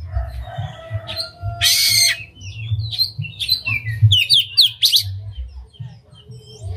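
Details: Oriental magpie-robin singing an unusual song with its tail spread, meant to fire up other magpie-robins. Scattered whistles and a harsh rasping burst give way to quick, clustered high notes and sharp chips over a background rumble.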